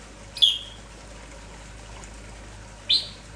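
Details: Lively morning Red-whiskered bulbul, kampong type, calling nonstop: a sharp high chirp sliding downward, then a long pause before a second similar chirp near the end, with faint hiss behind.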